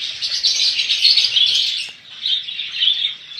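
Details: A group of budgerigars kept for sale produces steady, busy high-pitched twittering and chirps, easing briefly before picking up again.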